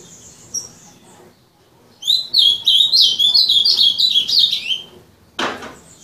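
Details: Azulão, called a 'terrorista' singer, delivering a fast warbled phrase of rising and falling whistled notes for about three seconds after quiet, ending in a sharp broadband burst of noise.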